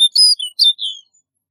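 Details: A snow bunting's high, sweet twittered notes: a quick cluster of chirps followed by a longer, slightly falling whistled note, then quiet.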